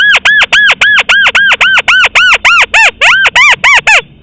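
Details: Lure sound of a rice-field crake for hunting: a fast, steady series of about sixteen arched, ringing notes, roughly four per second, loud and clean.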